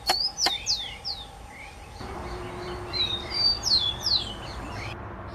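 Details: Rufous-collared sparrow delivers high whistled phrases made of quick, steeply descending slurs, a pause, then a fuller run of clear downslurred whistles. A faint hum and a couple of sharp clicks are heard at the start.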